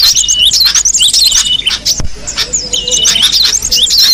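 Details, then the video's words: Wild cinereous tit singing busy, high-pitched twittering phrases of quick rising and falling whistles, one burst in the first half and another after a brief pause with a sharp click. "suara burung gelatik batu di alam bebas"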